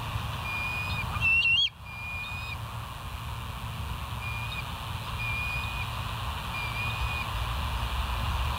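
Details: West End bald eagles on a live nest camera, early morning 05:24, 6 August 2023: a brief burst of sharp rising whistled chirps near the start with a loud knock, then faint thin whistles over a constant low hum.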